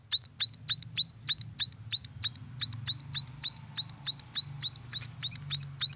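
Munia chicks give high, thin, sharp chirps about three times a second in a steady run, over a faint low hum.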